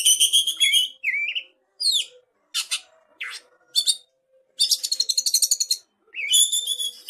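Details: Young forest-origin oriental magpie-robin from Cililin, isian song: loud, bright whistled phrases mixed with harsh buzzy notes and a fast rattling chatter of rapid repeated chips, broken by brief silences.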